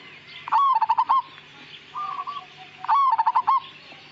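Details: Majapahit zebra dove giving two loud bubbling, pulsed cooing phrases about two and a half seconds apart, with a quieter, lower rolling phrase in between and a soft background hum.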